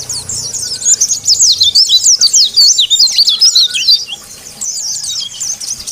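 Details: White-eye singing its continuous ngalas style to challenge rivals: rapid, very high, chattering twitters of quick up-and-down slurred notes, briefly pausing before another burst, over faint low rumbling.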